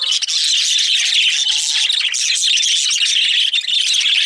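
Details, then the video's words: A group of excited parakeets fills the air with steady, overlapping high chirps and squeaky warbling. A faint low whistle-like tone slides underneath around the middle. "Excited Budgies/Parakeets"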